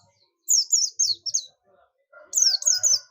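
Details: Oriental white-eye of the buxtomi type calling to companions: bright, high, wavering chirps in quick runs, a pause, then another burst, with a softer lower tonal sound beneath the second run.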